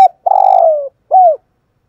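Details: Decoy spotted dove calling to provoke wild males: a long rough, pulsing coo that sags downward, followed after a short gap by a single clear arched coo rising and falling.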